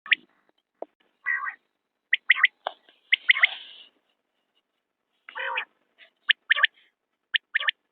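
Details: Common quail calling: short bright three-note phrases, sharp and quickly repeated, near the end, mixed with harsher buzzy harmonic bursts earlier on; otherwise quiet background.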